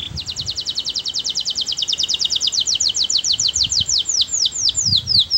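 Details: A canary sings sweetly to draw other canaries into song. One long, even trill of quick down-slurred notes slows gradually toward the end, with faint low background rumble.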